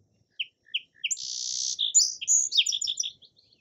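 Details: Song sparrow song: three short, sharp introductory notes, then a long buzzy trill and a varied jumble of quick high chirps and notes, lasting about three seconds, clean background.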